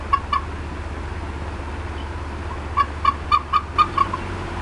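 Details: Female bald eagle at the Decorah North nest, upset and clucking on 18 April 2016 at 4:23 PM CDT. Two clear clipped notes open the clip, then after a pause a run of six sharp, evenly spaced clucks over a low steady hum.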